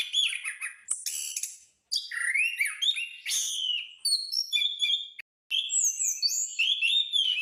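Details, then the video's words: Rapid, varied song of a caged orange-headed thrush in rolling style, with bursts of whistled slurs, harsh chips and high twitters separated by two short pauses. "anis/punglor gacor"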